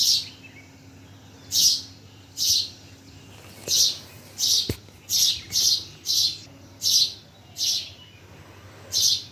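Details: Birds chirping in Bhimtal: short, bright, high chirps in separate bursts, about eleven over nine seconds, spaced irregularly at one to two second gaps, over a quiet low background hum.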